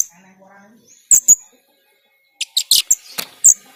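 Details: Kept Rio Rio myna in full, lively song, used as a master bird for other songbirds to copy: two sharp high chirps, a pause, then a quick burst of several shrill chirps and whistled notes, with a faint low hum at the start.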